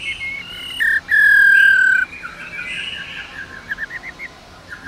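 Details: Caged female black-throated laughingthrush singing to prompt males to sing: a loud, long, pure whistle held steady for about a second, then softer, rapid chattering notes rising in a quick series.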